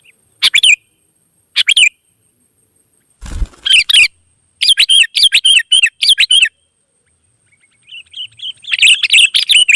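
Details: Wild sooty-headed bulbuls singing and answering: scattered bright chirpy phrases, a brief rustling thump, then a rapid dense string of bubbly notes, ending with soft warbles rising into more chattering.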